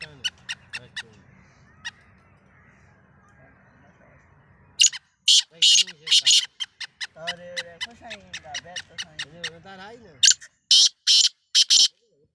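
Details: Black francolin, or kala teetar, on the season's first try. Soft clicking first, then loud rasping call bursts broken by a man speaking, and a final run of harsh, grating calls.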